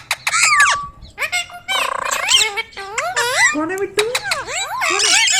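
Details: Pet Indian ringneck parrot talking: quick high-pitched word sequences, a buzzy nasal syllable, then several swooping whistled notes in close succession.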